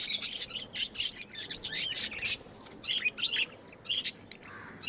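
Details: Budgerigars kept as pets chatter steadily, rapid high chirps and buzzy warbles run together in dense bursts with only short gaps.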